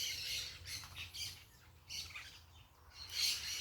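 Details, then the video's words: A natural soundscape of parakeets: rasping, high-pitched squawks in scattered bursts, softer calls between them, and a final loud screech near the end. "Quem gosta do som da natureza com periquitos fazendo barulho"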